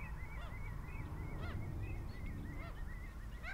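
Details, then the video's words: Redshanks recorded at Marshside RSPB Reserve in Lancashire, 24 April 2011, giving quick, repeated fluty whistles in an even rhythm. Rough, harsher calls from other birds cut in, over a steady low background rumble. "Redshanks - Tringa totanus"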